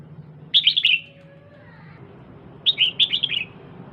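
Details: Female red-whiskered bulbul stimulating the male: a tight group of bright, falling chirps, a pause with a faint thin whistle, then a second longer run of slurred notes, low hum behind.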